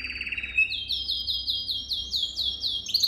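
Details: Canary song for training young birds: a short low trill leading into a fast series of repeated rising-falling whistled notes, about a dozen in three seconds, climbing slightly in pitch, loud and clear.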